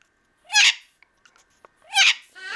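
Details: A male pet blue-crowned conure loudly protests and talks back, two loud, harsh, raspy bursts of parrot talk about a second and a half apart with faint clicks between, indoors in Magalia–Paradise, California, on February 28, 2009.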